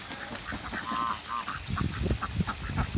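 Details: Two pairs of Muscovy ducks meeting: a run of short, harsh nasal calls with a few longer tonal notes, over low rumbling handling noise.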